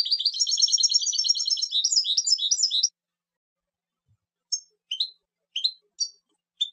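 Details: European goldfinch delivering a long rapid twittering trill for about three seconds, then a pause followed by several separate sharp high chirps.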